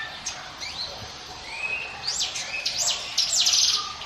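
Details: Mountain prinia song used as a lure recording: thin high whistled upsweeps and a long level whistle, building to loud, steep rising-and-falling high strokes repeated in quick succession near the end, over steady background hiss.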